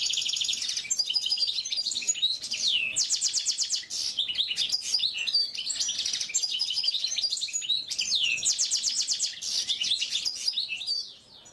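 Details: Oriental white-eye song recorded for training (masteran): long, lively stretches of very high twittering mixed with quick rattled trills and slurred whistles, nearly unbroken throughout.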